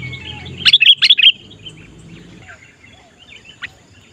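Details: Sooty-headed bulbul used for luring wild birds: a quick run of five bright bubbling whistled notes, then softer distant calls and a low rumble fading behind.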